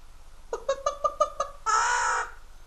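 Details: Pet Amazon parrot, indoors, giving a series of six short nasal hoots followed by a harsh, noisy screech, part of its repertoire of calling the dogs and wolf whistling.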